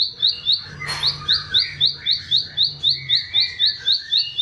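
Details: Bar-winged prinia singing, recorded as master song for teaching caged birds: a rapid, even series of high rising chirps, roughly four each second, with a brief rustling burst early and other birds twittering underneath.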